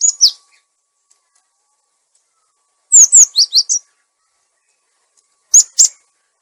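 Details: Cinereous tit, lure and training recording for caged birds that have stopped singing: a falling whistled pair, then a louder phrase of two sharp whistles and three lower notes, ending with two high, thin notes.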